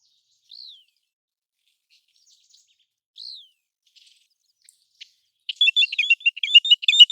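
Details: American golden plover, noted for calling during migration and breeding, gives two soft, downslurred whistles a few seconds apart, followed by a quick burst of sharper, chattering high notes.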